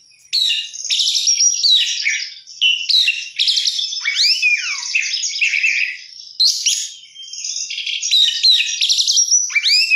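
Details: Oriental magpie-robin in vigorous, varied song: high chattering trills run into swooping whistles that dip and rise, delivered in long unbroken phrases with brief pauses.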